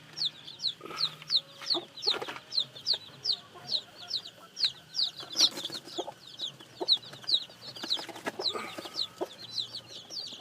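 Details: Peeping of newly hatched chicks: high, thin notes that slide downward, repeated about two or three times a second for ten seconds, with occasional low knocks and clucking sounds underneath.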